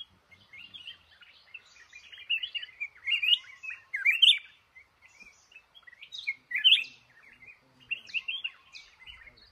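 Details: Red-whiskered bulbul, a male held in a trap in a cashew garden, delivers a busy string of chirpy whistled notes that build into louder bubbling phrases, with a quiet background.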